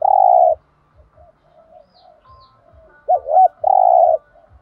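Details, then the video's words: Spotted dove thúc gù cooing used to make other doves call: a long drawn-out coo, a pause with soft murmurs, then short rising-falling coos and another long steady coo, with faint regular ticking behind. "tiếng chim cu gáy kích bổi/tiếng thúc gù bài bản giọng hay giúp bổi nhanh gáy"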